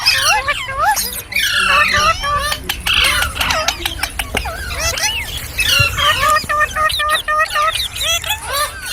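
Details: Ringneck parrot singing and making funny sounds: a long sequence of bouncing whistled notes and short raspy squeals, with a series of sharp clicks in the middle.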